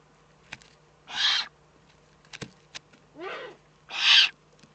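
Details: Eurasian eagle-owl in the Eifel, Germany, on 3 May 2014, giving harsh, hissing rasps, each about half a second long, with sharp clicks between them.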